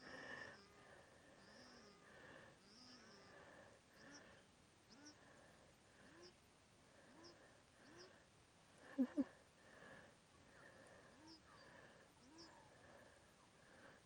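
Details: Paradise shelducks, a pair calling to each other on a misty early morning after rain in the Waitomo valley, New Zealand: short, low, buzzy honks about once a second with thin high notes mixed in. Two sharp knocks are heard partway through.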